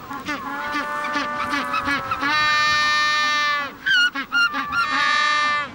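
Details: A male Magellanic penguin on the Patagonian coast in September, the mating season, beside his mate at their burrow, throws back his head and brays like a donkey: quick harsh honks, a long drawn-out nasal bray, then more honks.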